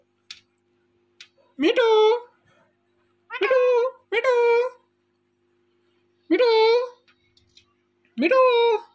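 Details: Indian ringneck parrot talking, repeating a drawn-out, nasal meow-like call four or five times at uneven intervals, each rich in harmonics. A faint steady hum underneath, indoors.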